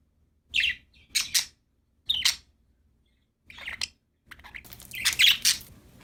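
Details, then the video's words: Chirping from happy budgies: bright, high chirps in separate bursts about every half second to one second, ending in a denser, longer run of mixed chirps and chatter. "Happy budgies chirping sound"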